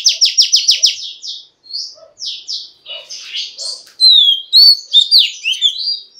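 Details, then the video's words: Female Oriental magpie-robin song used to prompt males to sing, opening with six quick buzzy down-slurred notes, then scattered chirps and a run of loud clear whistled slurs near the end. "Choè than mái kích trống hay nhất"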